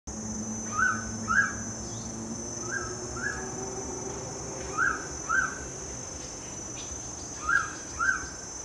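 Mangrove pitta giving four clear, two-note whistles, each note slurred, pairs spaced about two seconds apart, over a steady high insect drone and low background hum.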